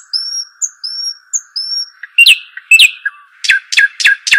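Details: Dakhl bird, or shuhaim: a series of thin, high upslurred whistles, followed by loud scratchy chirps and four strong downslurred notes about a third of a second apart, with a faint steady hum behind.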